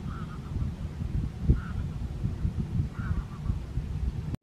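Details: At Strijen, South Holland, on 4 November 2024, barnacle geese give three short barking calls roughly 1.5 seconds apart, with a constant low rumble of wind below.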